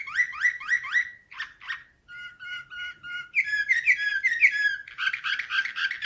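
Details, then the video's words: Canary song of the nightingale style: quick sets of rising whistled notes, then a steady trill, then sharper chirps and a dense buzzy rattle toward the end. "Uccello dell'usignolo delle Canarie Slavujar 2024"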